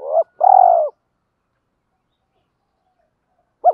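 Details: Spotted dove used as a decoy to stir up wild doves, giving its urging and calling coos: a short coo, a longer drawn-out falling coo, then another clipped note after a long silence.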